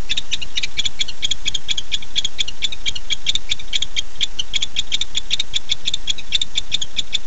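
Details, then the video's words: Nighttime call of a male barn owl seeking his mate, 9:54 pm, 9-8-15; sharp clicks repeat roughly twice a second or faster in an uneven rhythm, steady hum behind. "Casper showed up at 9:54 pm and called for Dottie"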